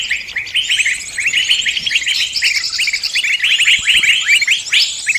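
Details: Lure recording for catching birds, claimed to bring in all kinds: clustered, slightly buzzy chirps and rising notes from multiple birds, growing busier toward the end.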